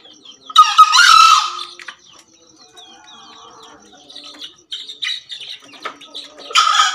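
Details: Crowing of Javan green junglefowl roosters: a harsh, rasping crow of about one second near the start, scattered soft chirping from other birds, then the start of a second loud crow at the very end.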